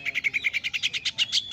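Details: Greater green leafbird (Chloropsis sonnerati, cucak hijau) from Indonesia, a green treetop songbird of forests and mangroves, gives a fast run of bright, high chirping notes, about eight per second, each a short sweep rising slightly at the end.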